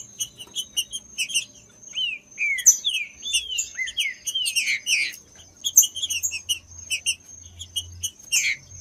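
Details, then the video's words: Trinca-ferro, the green-winged saltator, heard as stimulation for breeders' birds: repeated arching whistled notes in a lively sequence, accompanied by sharp high chirps and a thin continuous tone. "ESQUENTE SEU TRINCA FERRO MELHOR ESQUENTAR TRINCA FERRO frio TRINCA FERRO CANTANDO"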